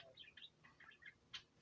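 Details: Pet parakeets chatter quietly indoors in the background, with quick, high chirps and warbled notes tumbling over one another in a busy, continuous stream.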